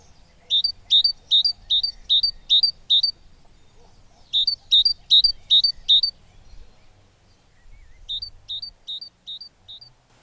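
Great tit chick begging: bursts of five or six high, sharp, slurred notes, about four a second, between short pauses, over a faint low rumble.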